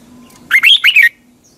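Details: Caged-bird training song of a red-whiskered bulbul at morning: one compact phrase of three loud, slurred whistled notes rising then dipping, with a soft low hum before and after.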